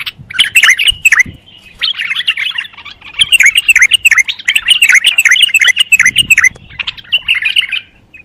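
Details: Bulbul singing a fast, chattering run of bright warbled and chirping notes packed closely together, steady for about eight seconds with brief dips, a few soft low thumps underneath.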